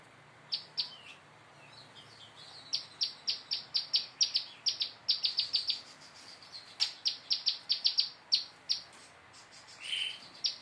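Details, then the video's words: Prinia practising its song, learning rapid-fire bursts: high, sharp chirps repeated in quick runs of three to eight notes, with short pauses between runs and a softer buzzy note near the end. "Prenjak lumut belajar nembak istimewa"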